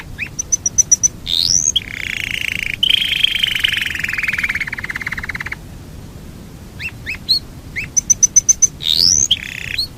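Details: Yorkshire canary delivering a long rolling song: fast trilled rolls held steady, sharp repeated chip notes, and rising whistled sweeps, the phrases switching abruptly between rapid pulsed bursts and sustained buzzy trills.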